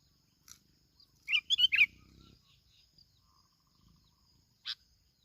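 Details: Plain-backed sparrow from Bình Thuận, Vietnam, recorded as a lure bird: a faint single note, then a quick cluster of three loud twittering chirps, then quiet, and one sharp chip near the end; a faint high hum runs underneath.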